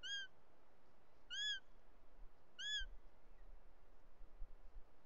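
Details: Bonelli's eagle at its nest in the Ports, Catalonia, afternoon of July 2, 2023, with the male carrying a snake and an intruder female nearby; three arched, ringing calls in quick succession, then quiet.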